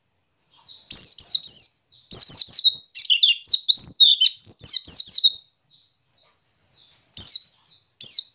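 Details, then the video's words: White-eye giving the 'ngiriwik' call, used as a lure to make caged white-eyes start singing freely and often; a dense run of high, thin chirps and quick rising-falling whistled notes in rapid bursts, pausing briefly before ending with short phrases. "pancingan pleci ngiriwik agar cepat ngalas dan gacor"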